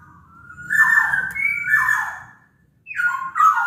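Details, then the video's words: Large-bodied black-naped oriole from Sumbawa, recorded as a singing lure for other orioles: long drawn fluting whistles, a brief gap, then a renewed rising whistle, over a low background hum. "Kepodang Lokal Gacor Suara Buat Pancingan Burung Kepodang Agar Bunyi"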